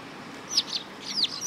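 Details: Sparrow with a wound on the head above the bill, Tenmangu shrine, Japan, 20 August 2022; a quick series of about six high, downward-curving chirps.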